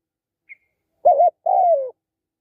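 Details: Spotted dove delivering two loud, rich coos: a short wavering note, then a longer one sliding gently downward, preceded by a tiny high click; otherwise silent.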